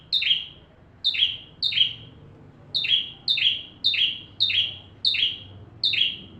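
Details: Full song of a bar-winged prinia, used to train magpie-robins: piercing high chirps, each trailing into a short descending buzz, delivered in steady repetition with brief pauses.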